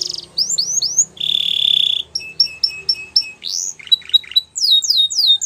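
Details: Belgian canary delivering varied song: rising whistled slurs, a flat steady buzz, a row of clipped double notes, a swooping whistle, sharp high chips and a final burst of rapid rising notes.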